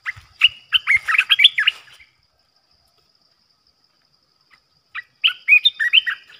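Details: Caged decoy bulbul used for trapping, giving bursts of quick, chattering, slurred notes in two runs about three seconds apart, with silence between and a faint steady hiss in the background.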